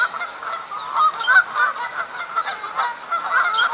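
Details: Canada geese at Duke Farms, New Jersey, April 2015, calling in the spring mating season amid fights for females; irregular overlapping honks and harsher cackling notes from a noisy group.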